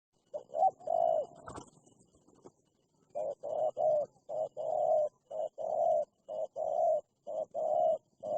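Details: Wild spotted dove, described as very fierce, calling in answer to a decoy bird during trapping; a brief burst opens, then low hollow coos repeat about once a second in even runs.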